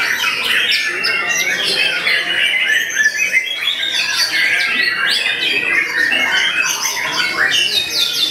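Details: White-rumped shama at a bird-song competition, singing at full volume from its cage: fast, varied whistles with steep rising and falling sweeps and short trills, backed by a crowd of other birds.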